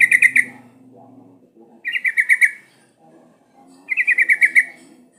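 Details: Sooty-headed bulbul song used as a lure to make birds sing: three bursts of rapid bubbly notes, each a quick run of about six to eight chirps, repeated roughly every two seconds, with faint low background murmur between.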